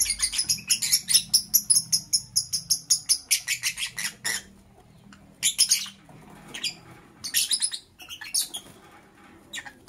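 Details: Lovebird in the morning giving a rapid series of about sixteen harsh, high chirps over four seconds, followed by a pause and a few short bursts of shrill chirping.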